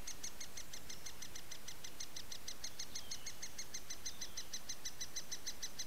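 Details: Great spotted woodpecker chicks at their nest at Montalto Estate in summer keep up a fast, unbroken, high-pitched chattering, several sharp notes a second, begging loudly as the female feeds them.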